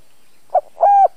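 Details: Spotted dove kept as a lure bird to draw in wild doves, in the chiêu thúc bổi luring style: a short soft note, then a longer, level, hollow coo.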